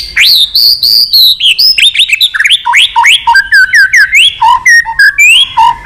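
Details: White-rumped shama pouring out a long song to provoke fighting. Clear, ringing whistles start high and step lower, with many short swooping notes repeated in a quick, steady rhythm throughout.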